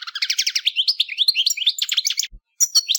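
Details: Lively European goldfinch singing, a quick chatter of high twittering notes and rolling trills, cut by a short silent pause near the end.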